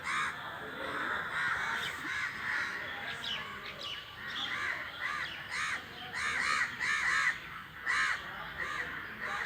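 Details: Crows calling as a flock while flying. Rough caws repeat steadily, becoming denser toward the end, with faint chirping from other birds.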